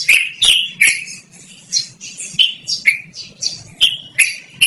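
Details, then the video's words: Yellow-vented bulbul giving its long, loud, melodious song for luring or training birds; bright chirps in uneven bursts, a brief softer pause near the middle before rapid clicking notes resume. "BURUNG TRUCUKAN GACORR NGEROL DURASI PANJANG"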